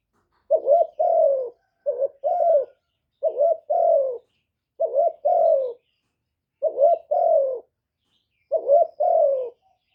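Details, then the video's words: Cooing of a decoy spotted dove, played to stimulate keepers' doves, recorded directly without background noise: six two-part phrases of low soft coos, short then longer and falling, spaced at irregular intervals. "Tiếng chim cu gáy mồi chuẩn kích bổi mỗi ngày, tiếng cu gáy gọi.cu gáy kích trống.cu đất gáy.Cu cườm"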